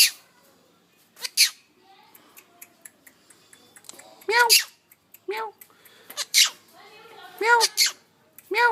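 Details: Indian ringneck parakeet kept as a pet, imitating a cat's meow: repeated short arched meow-like calls mixed with sharp clicks and harsh broadband bursts, with a person nearby.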